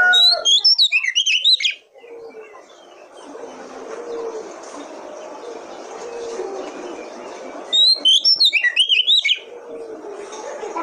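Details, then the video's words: Lure song of an Oriental magpie-robin, meant to prompt other kacer to sing: two short bursts of rapid, high, twisting whistles at the start and near the end, with a low murmur of background voices between them. "Pancingan Kacer Paling AMPUH,Untuk Pancingan kacer BAHAN agar Cepat Gacor"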